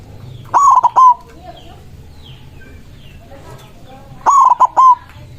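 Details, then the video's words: A white zebra dove sings to call rivals, giving two loud, broken, rolling coos nearly four seconds apart over faint background bird twitter. "Perkutut putih gacor suara besar ampuh memanggil lawan bunyi emosi manggung"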